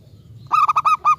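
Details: Local zebra dove singing energetically, used as a lure to set other zebra doves singing in reply: one clipped phrase of about five quick, hollow, harmonic-rich cooing notes after a near-silent start.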